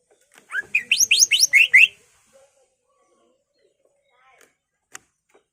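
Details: Greater green leafbird, a caged songbird, singing a rapid burst of about ten loud, slurred, descending whistled notes within two seconds, used as a lure song to provoke other leafbirds, then quiet with a faint click.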